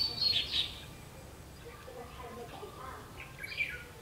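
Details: Red-whiskered bulbul recorded while trapping on 31 October 2016, an opening burst of loud sharp warbled notes, quieter murmuring, then another bright chirped phrase near the end.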